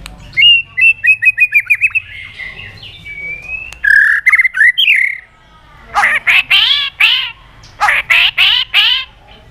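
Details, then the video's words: Lively white-rumped shama song, played to stir other shamas into singing: a rapid series of clipped chirps over a steady whistle, a mellow warbled phrase, then loud, harsh, rasping bursts in two groups. "pancingan murai batu gacor bikin yang lain DOWN!!pancingan burung murai batu nyaut"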